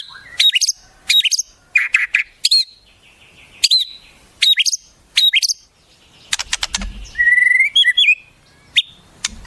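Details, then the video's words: A varied white-rumped shama song, said to carry phrases borrowed from wild birds. Spaced, sharp, high whistled phrases with clicks come first, then a noisy burst and a descending, twittering warble. "Masteran Murai, Isian Burung Alam Liar"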